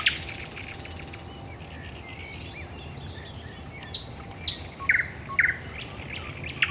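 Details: Singing thrush nightingale at night, Raszyn Ponds, Poland, 10 May 2021; after a quiet stretch, scattered high whistles and short sharp double notes sound against a faint background hiss.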